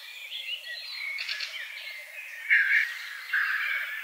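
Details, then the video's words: Black grouse lek near Krokskogen, Norway, 2013, birds out of camera range: faint, continuous low bubbling murmur overlaid by louder hissing and chirping bursts, with other birds calling higher. "Black grouse lek"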